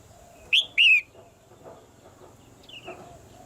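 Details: Female red-whiskered bulbul kept in a cage, calling so the male sings harder: two loud whistled notes sliding downward in quick succession, followed by a fainter descending whistle.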